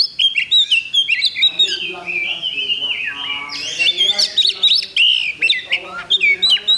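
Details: Loud, continuous song from an Oriental magpie-robin at a bird-singing contest on 8 October 2020, mixing sweet whistled slurs with fast, clipped, staccato notes delivered in rapid succession.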